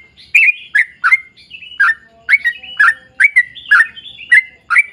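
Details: Yellow-vented bulbul delivering rapid chattering song used as a lure for other bulbuls: clustered liquid chirps that rise and dip, some in quick doublets, against a quiet background.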